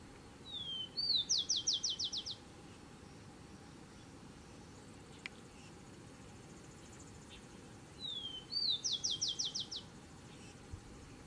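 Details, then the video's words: Rufous-collared sparrow singing to defend its territory: two songs about seven seconds apart, each opening with one or two short slurred whistles, then a rapid, even trill of about eight bright notes. Steady low background hiss. "tico tico cantando defendendo o território"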